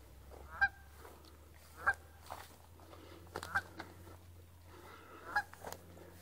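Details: Canada geese on Fish Lake, Utah, at the south end of the lake, heard during a run: loud harmonic honks spaced one to two seconds apart, some doubled, over a low steady rumble of background noise.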